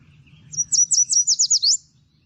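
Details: Yellow Warbler, a small migratory songbird, sings a bright, very high series of about eight sweet, pure, slurred notes, medium speed then much faster, toward an emphatic ending flourish, over a faint low hum.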